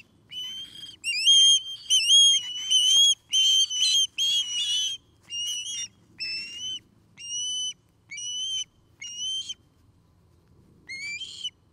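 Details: From an osprey pair's nest in Charlo, Montana, a series of piercing whistled calls, each note rising at the end, first fast and crowded, then spaced out and fading before one final call.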